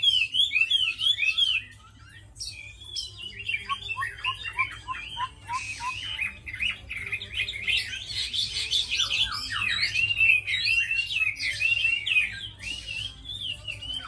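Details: Tame captive Chinese hwamei, kept as a good fighting bird and a fine singer, delivering a loud, rich song of rapid slurred whistles, warbling runs and quick trills, pausing briefly near the start and then pouring on continuously.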